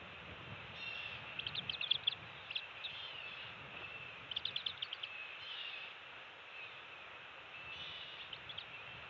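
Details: Bald eagles at a nest on Captiva/Sanibel Island, Florida, early morning 27 December 2020, during a shift change and fish feeding of two-week-old eaglets; short bursts of high, rapid twittering chirps recur over a steady background hiss.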